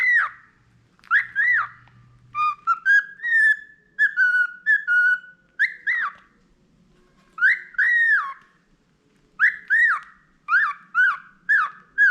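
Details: Tame pet budgerigar, noted for its whistling skill, whistles a melodic phrase of stepped clear tones, then repeated arched downslurred notes in pairs and triplets with pauses.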